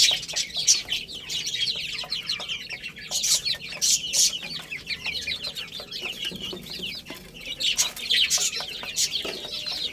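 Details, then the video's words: A flock of chicken chicks eating and playing, their high descending peeps forming a thick, unbroken chorus with louder surges and sprinkled pecking-like taps. "Cute Little Chicks Chirping Sounds"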